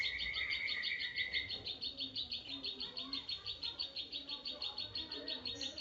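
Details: Caged zitting cisticola, known locally as klik klik or ciblek sawah, in energetic fighting song used to prompt other birds to sing: high, sharp 'zit' notes repeated steadily about three per second, a brief lower trill from another bird at the start.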